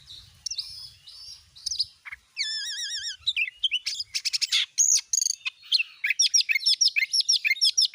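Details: Oriental magpie-robin lure song in the gacor nembak style, meant to provoke other magpie-robins: warbled phrases, a rapid wavering trill, then a long burst of quick staccato chips and sharp notes.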